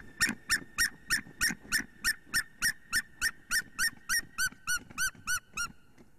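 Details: White-tailed eagles in Latvia calling during mating on a February 2020 morning; a fast, even chain of about twenty loud yelping notes, roughly three per second, each note bending downward toward the end.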